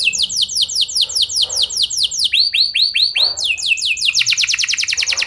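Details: Canary song used as a lure to prompt other canaries to answer: a run of quick downslurred whistled notes, then a few fuller upswept notes, ending in a rapid high trill.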